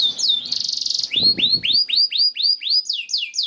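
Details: Canary song for prompting canaries to sing: a fast rattling trill, then clear rising-and-falling whistled notes repeated roughly four per second, with faint low rustling underneath.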